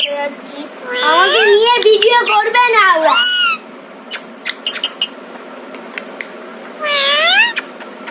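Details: Rescued Alexandrine parrot kept as an uncaged pet, imitating speech with "Maa": a long, throaty, warbling stretch of voice-like syllables, then scattered clicks, and a final rising, harmonic squawk. Recorded indoors close up.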